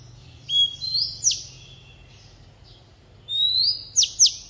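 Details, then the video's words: Oriental magpie-robin decoy singing in wild forest style for young birds to learn: rising whistled slurs and sharp downward flicks in two bursts separated by a two-second pause, over faint low background hum. "tiếng chòe rừng ép giọng chim non cực hay | Chòe than mồi hót giọng rừng cực hay"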